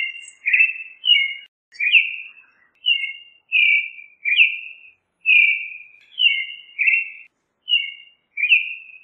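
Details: Creamy-bellied thrush in continuous song, a rapid series of varied short whistled phrases, some doubled, some with upward flicks, flowing one after another without long pauses.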